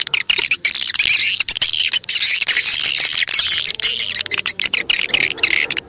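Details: Swiftlet lure call, meant to attract swiftlets: a dense, continuous chorus of high, thin chirps and twitters from many birds, with no pause for six seconds.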